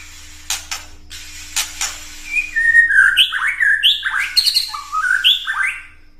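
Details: Ketrekan of a white-rumped shama, used to provoke other birds into singing: a few dry clicks, then a lively string of short downslurred whistles and chattering notes that bounce up and down in pitch.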